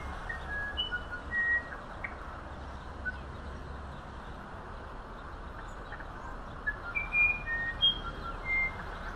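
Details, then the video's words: Musician wren, or violinero, of humid Amazon forest, singing scattered clear whistled notes at changing pitches, a few at the start and a quicker cluster near the end, with a long quiet gap and a constant low hum between. "Canto del Cucarachero Musical"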